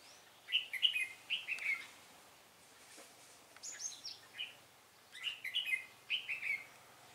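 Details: Red-whiskered bulbul used as a decoy while trapping on 10 December 2016, singing a fighting song: short bright warbled phrases of three to four slurred whistles, repeated with pauses, over steady outdoor background noise.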